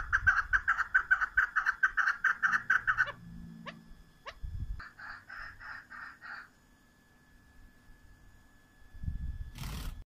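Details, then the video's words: Female chukar partridge: a fast burst of clucking notes for three seconds, then a few scattered sounds, a shorter softer run of notes, and a final noisy rustle. "صدای کبک ماده"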